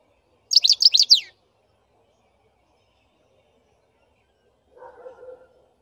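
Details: Black-headed goldfinch singing one quick burst of high, chattering twitter notes lasting under a second. A long silence follows, then a faint, low, brief rumbling sound.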